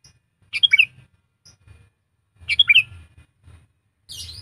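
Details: Sooty-headed bulbul trained to serve as a decoy utters quick bubbly phrases of liquid, tumbling notes about two seconds apart, plus a higher breathy note at the end and faint low knocking.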